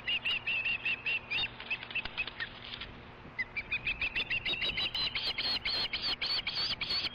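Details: Osprey at a ranch nest around a fish delivery, one bird chasing another off the nest: strings of sharp high whistled chirps, a brief pause, then a faster rising run of piercing chirps with wingbeat-like rustling.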